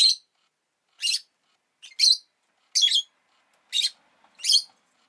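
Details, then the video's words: Pet rosy-faced lovebird, egg just laid, giving shrill, grating chirps roughly every second, six evenly spaced bursts against a silent background. "Lovebird Chirping Sounds"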